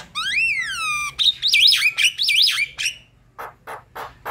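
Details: Javan myna song for provoking quiet mynas: a long slurred whistle, a wavering buzzy warble, then several short harsh rasping notes.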